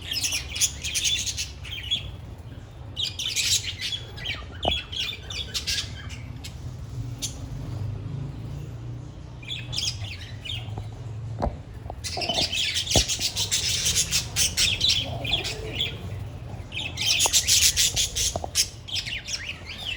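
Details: A colony of budgerigars in an aviary chatters continuously with high, scratchy warbles and squawks while playing, flying and eating.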